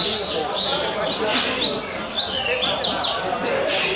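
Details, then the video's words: Double-collared seedeater (coleiro) singing in the Caveirinha song style, Rio Comprido. Bright whistled notes sweep up and down in quick sequence, high and clear, with a voice urging it on and faint background noise. "Coleiro Caveirinha 115 Cantos Rio Comprido muito Bom"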